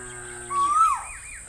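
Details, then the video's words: A lone rising whistle from an Asian koel, followed by softer wavering notes, with low steady tones underneath at the start. "Asian Koel Master Sound - Asian Koel Sound Effect"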